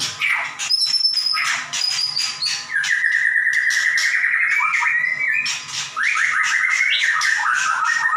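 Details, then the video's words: Caged white-rumped shama singing strongly: high thin whistles at the start, then buzzy bursts and a long run of rapid stuttering notes, ending in rising whistled phrases. "Murai batu gacor nembak"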